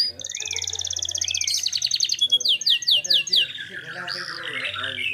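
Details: Canary singing energetically with clear tone: long rapid trills of bright repeated notes, then a run of fast descending sweeps, ending in warbled rolling phrases.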